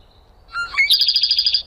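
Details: Minnesota backyard bird on a trail camera: two or three clear whistles climbing in pitch, then a fast, evenly repeated high trill lasting under a second, with little background noise.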